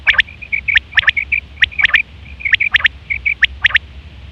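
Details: Hunters' lure recording of a female batair quail: dense, rapid sequence of short high whistled pips and sharp double clicks with hardly a pause.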